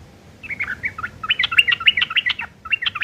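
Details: Harsh chattering from a yellow-vented bulbul, tutoring material for long-tailed shrikes: quick rattling series of scratchy chirps, brief pause, then a few more, over low background rumble.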